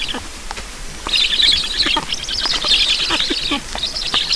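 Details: Wild black storks at a nest in Estonia during a feeding on 9 July 2019 at 7:15. Dense bursts of high, scratchy chirping notes repeat rapidly and fairly irregularly, with brief gaps between bursts.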